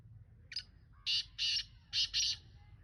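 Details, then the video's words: Black francolin calling loudly: a short introductory note followed by four harsh, scratchy notes grouped in two pairs, with a low background rumble throughout. "Kala Teetar Ka style"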